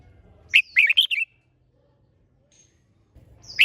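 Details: Red-whiskered bulbul delivering a rousing song phrase meant to excite other birds into singing: four or five loud, bubbly rising-and-falling notes, then silence before a new phrase starts; faint low rumble in background.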